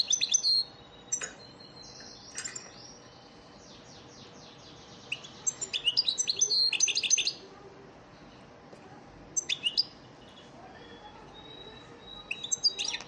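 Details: Elmacık European goldfinch lesson song for training caged birds. Short chirps and thin whistles lead into a long, lively, fast twittering phrase, followed by further sharp chirp bursts and a drawn-out whistle.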